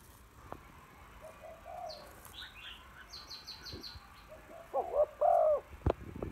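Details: Female spotted dove calling to excite males: after a stretch of thin high chirping and a rapid twittering run from other birds, two loud low coos sound close together, followed by a sharp click.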